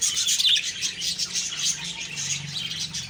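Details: Budgerigars chirping on a morning of October 2, 2023: a dense, continuous chatter of high twittering and warbled notes, many short chirps overlapping without pause.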